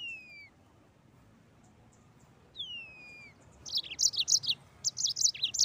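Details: Mozambique canary in lively 'ngeroll' rolling song. Two clear descending slurred whistles open, followed by a rapid run of bright, high chirping notes repeated several times a second.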